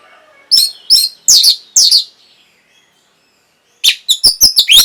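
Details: Orange-headed thrush song meant to stir breeding mood and provoke answering song. Four loud, rich, high phrases about half a second apart, then a pause, then a fast run of sharp, clear notes.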